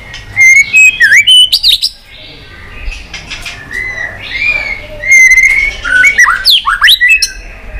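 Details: Provoked white-rumped shama singing its fighting song: bursts of loud, quick, swooping whistles and sharp notes, a quieter warbled middle section, then a fresh run of varied, rising and falling phrases.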